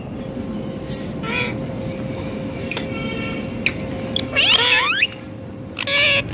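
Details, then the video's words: A talking green rose-ringed parakeet gives three short, nasal, meow-like talking bursts, the longest wavering up and down, over a steady electrical hum. "Ringneck green parrot talking awesome"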